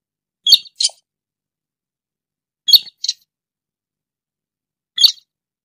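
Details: Rail called sintar or burung tikusan, used as a trapping lure: paired sharp high chirps repeated roughly every two seconds, the last note single, in an otherwise silent recording.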